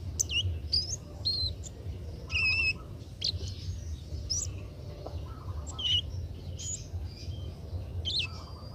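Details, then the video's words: Young Oriental magpie-robin practising its song: varied whistled phrases, some rising and falling, mixed with rough chattering notes and brief pauses, against a constant low background hum. "burung kemade muda belajar bunyi"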